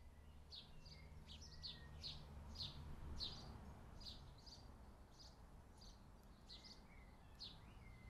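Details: European goldfinches at a garden feeder eating sunflower hearts; short, bright twittering chirps come in quick, uneven bursts across eight seconds over a low, steady background rumble.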